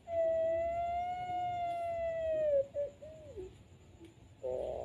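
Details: Dove (puter pelung) singing at night: a long, steady, drawn-out tonal note held for over two seconds, then a short wavering dip and a brief rounded note, with a faint steady hum behind.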